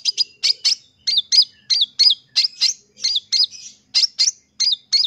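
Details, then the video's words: Long-tailed shrike, called cendet, singing for therapy to make mute birds sing: clean series of sharp, high, curved whistled notes, often in pairs, repeated steadily about one and a half per second with a quiet background. "Cendet BISU, MIYIK dan LELET bakal gacor dengan terapi suara CENDET Full Isian"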